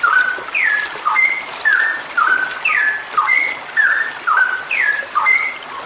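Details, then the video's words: Female straw-headed bulbul singing a long continuous gacor ropelan song, used as therapy to get birds singing: loud liquid whistled phrases, slurred up and down, repeated about twice a second in a looping pattern. "suara cucak rowo gacor ropelan panjang"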